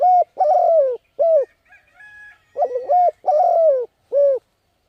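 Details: Cooing of a spotted dove in the thúc gù manner for decoy luring of wild birds: repeated hollow low coos in quick phrases, about ninety per minute, with faint high chirps in a short lull.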